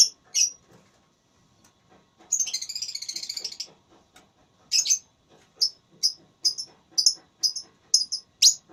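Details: Lovebird in a singing contest (tarung suara), described as gacor with ngekek style: shrill, sharp chirps, then a sustained buzzy trill of about a second and a half, followed by a run of brief piercing notes spaced roughly half a second apart.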